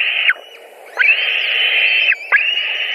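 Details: White-tailed eagle nest in Latvia, 16 July 2020, during a fish delivery: a brief call, then a long unbroken whistled call lasting over a second, each ending in a quick downward slur, and a further call starting.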